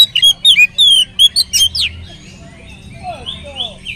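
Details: Oriental magpie-robin lure song to make other magpie-robins sing: about two seconds of loud whistled and slurred notes in quick succession, then softer, fainter whistles trailing off.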